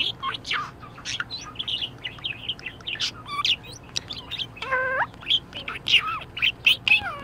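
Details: Budgerigar in an excellent mood warbles continuously. Busy high twitters mix with rising whistles and one nasal, harmonic squawk near the middle, and loud chirps follow toward the end.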